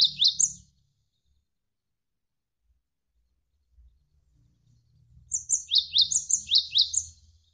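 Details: Javan sparrow singing over flowing water as training material: a few high down-slurred chirps, a pause of several seconds with only faint water noise, then a fast run of bright, high chirps.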